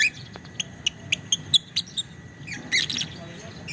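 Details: Lovebird performing its long chattering 'ngekek panjang' song: sparse sharp, high chirps spaced across a few seconds, ending in a denser burst of chatter, over a steady low hum.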